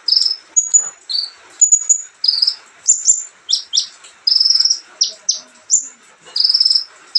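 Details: Olive-backed sunbird with a relaxed, busy song alternating short buzzy trills, high piping whistles and sharp falling chips, repeated without pause throughout.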